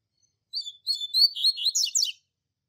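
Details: Double-collared seedeater delivering its Tui Tui Zel Zel classic training song for young birds: high whistled notes speeding into a chattering run, closing with rapid downward-sweeping slurs; no other sounds.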